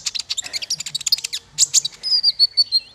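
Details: Bird song for training small fighter birds: a rapid jumble of high, scratchy chirps, then a clear, steady whistled phrase of five evenly spaced notes.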